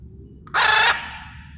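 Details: Blue-and-yellow macaw from a wild flock that has come in to relax and bond; a single loud, coarse screech, rough and broadband, cutting off abruptly, with faint low hum beneath.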